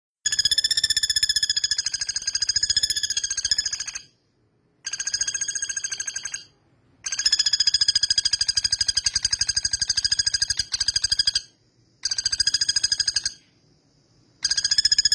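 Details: Male common flameback giving a loud rattling call: rapid, evenly spaced harsh notes in long bursts of two to five seconds, separated by brief silences.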